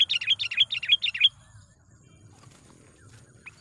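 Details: Sooty-headed bulbul lure call, a training recording to provoke wild birds: a rapid series of about ten bright, bubbly notes over one second, then near silence with faint low hum.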